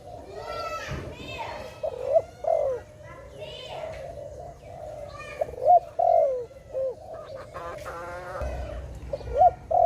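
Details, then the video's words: Dove associated with bird trapping, tagged Malay dove: low burbling coos repeated at intervals, mixed with harsher harmonic calls from another bird and some background noise. "Sound of dove"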